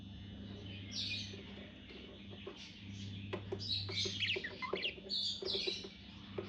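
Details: Tame budgerigars singing during a courtship approach: quiet, scratchy high chirps and warbled notes, irregular and rapid, with a steady low electrical hum underneath.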